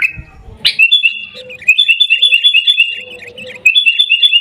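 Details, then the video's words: Gaya Garuda style singing by a sooty-headed bulbul from Mutiara, Pidie, Aceh: one sharp rising note, then an even run of rapid trilled whistles, restarting after a brief gap. "Gaya Garuda Burung Kutilang"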